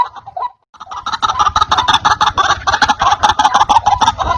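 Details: Lure recording of a white-breasted waterhen: a short croak, a moment of quiet, then a rapid, continuous chatter of harsh notes at about three per second.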